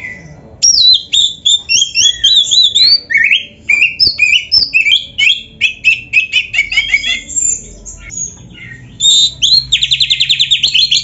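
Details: Oriental magpie-robin singing nonstop in 'gacor full isian' style for caged-bird training: a long, varied run of whistled and chattering notes, ending in a fast, even trill of repeated high notes.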